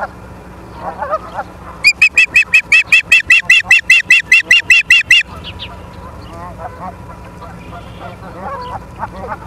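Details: Osprey at the nest in Charlo, Montana, on the evening of 28 August 2023: a rapid run of about seventeen sharp, whistled chirps at roughly four per second, with softer scattered calls before and after.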